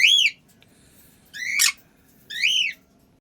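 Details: Caged birds kept at a family home calling noisily, louder at unfamiliar newcomers: three loud, squeaky whistled notes, arched and rising then falling, about a second apart, with faint background hum.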